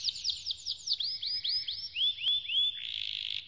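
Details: Canary singing a training song: a quick series of downward-swept whistled notes, about five per second, slows into upslurred whistles and closes with a dense buzzy trill.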